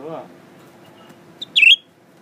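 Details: A blue-winged leafbird, newly kept and unafraid of people, sings while looking in a mirror: a soft high tick, then one bright, quickly warbled whistled phrase. A brief human voice is heard at the start.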